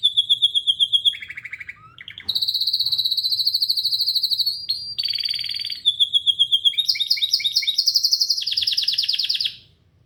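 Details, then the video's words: A canary singing loudly: a varied song of fast repeated trills, each section a different pitch, with rapid pulsed rolls, steady buzzy tours and high sweeping notes over ten seconds. "Canary Singing"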